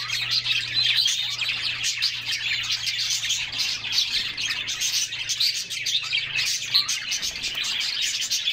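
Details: Summer bathing canaries, several together, give a busy stream of sharp high chirps and trilled twitters, constant and layered, with soft water sounds below.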